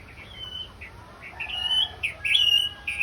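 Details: Orange-headed thrush singing for a therapy session, a loud run of clear whistled phrases and sharp chirps, high-pitched notes overlapping and sliding, growing stronger after the first second, with a faint low hum underneath.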